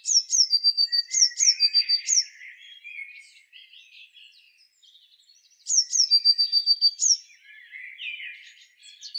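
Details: Eurasian blue tit singing twice: high thin notes each dropping into short fast trills, repeated in quick phrases, with softer lower chattering and twittering between the two bursts.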